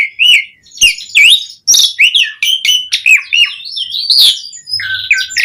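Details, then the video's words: Vigorous, varied Asian pied starling song for luring other starlings: a continuous string of bouncy looping whistles mixed with harsh scratchy bursts, barely pausing. "Suara Jalak Suren Gacor Auto Bongkar Isian Variasi Buat Pancingan Burung Jalak Agar Gacor Full Isian"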